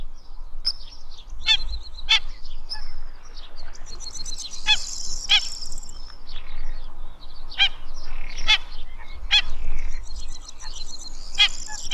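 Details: Black-winged Stilts (Himantopus himantopus) give sharp, yelping 'kek' notes, singly and in quick bursts every second or so, over softer chatter from other birds and a low wind rumble.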